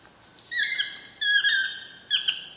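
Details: Three wavering, yelping toucan notes about half a second long, heard in wild Costa Rica at sunset over an unbroken high-pitched insect hum.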